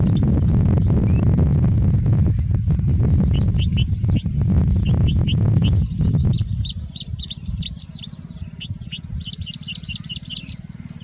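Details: Singing bushlark in India singing nonstop, mimicking other birds: scattered high, thin chips at first under strong low wind rumble, then clearer rapid bursts of sharp twittering notes once the wind eases.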